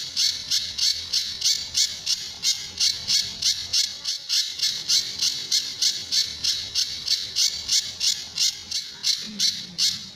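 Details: Sunda bush warbler singing in the tembakan and besetan styles, used as a master recording to train other birds: harsh, buzzy, high bursts repeated about three times a second, steady for ten seconds with no other sounds.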